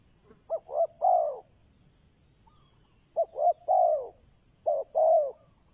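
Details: Spotted dove used as a decoy to draw in wild doves, giving low hollow coos in three-part phrases, two brief notes and a drawn-out falling note, with a shorter two-note phrase at the end.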